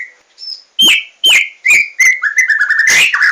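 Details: A white-rumped shama sings a soft opening whistle, then strong clicking, downslurred whistles in quick succession that flow into a rapid warbled trill.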